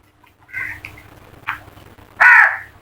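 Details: Crows in a flock give a few short, rasping caws, then one loud, prolonged harsh caw near the end.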